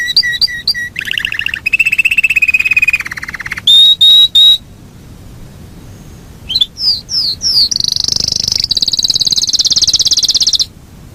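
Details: Yorkshire canary in a long rolling song, shifting between rapid trills, sustained buzzy rolls and pure whistles, with a pause midway and a high, fast rolling trill held for several seconds near the end.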